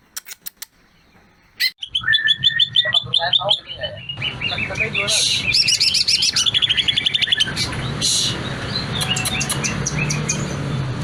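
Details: Greater green leafbird (cucak ijo) in full-repertoire song, used to prompt other leafbirds to sing: brief sharp clicks, then a dense run of fast chirps, trills and high whistled notes over a steady low background hum.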